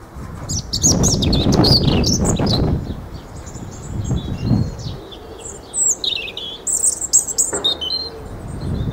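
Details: European robin delivering high, liquid, jumbled phrases of quick trills and twittering notes, heard mostly in the second half after a burst of loud low rumbling at the start.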